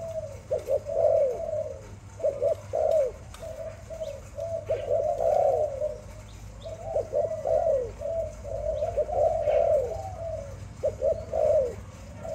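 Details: Pet Malay dove cooing steadily: a continuous chain of quick stuttering notes and rolling, gently falling trills, barely pausing across the stretch, over a low background hum.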